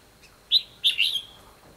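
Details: Red-whiskered bulbul fighting song recorded while trapping a wild bird, 24 December 2015: a sharp whistle followed by a rich, warbling double phrase that slurs downward and fades.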